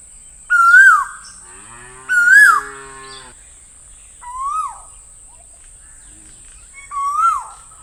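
Four loud, rising whistled 'ko-el' notes come about every two seconds, over a steady high electronic whine and a low mooing beneath the second.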